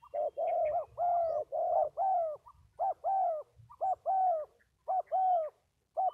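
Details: Spotted dove from the Mekong region of Vietnam, cooing steadily in low, mellow notes, short and long coos alternating in regular phrases over several seconds, with little background sound.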